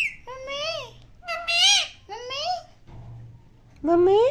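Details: Indian parrot talking loudly, repeating "mummy" in Hindi: three harmonic, speech-like syllables that rise and fall, a pause, then a fourth rising call, with a faint low hum.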